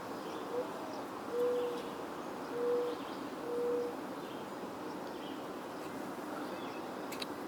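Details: A Mourning Dove singing behind the recordist on the Cornell University campus, Ithaca, New York, on the evening of 27 June 2024, gives three soft, low, hollow coos about a second apart over a steady background hiss.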